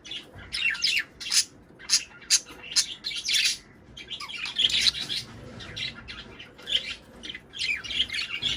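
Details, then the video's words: Budgerigar chatter played to encourage pairing and egg laying: rapid scratchy chirps and squeaky warbled notes in dense, uneven bursts, with brief quiet gaps. "صوت بادجي طيور الحب للتزوج شغل المقطع ورح يدخلون البياض وينتجون"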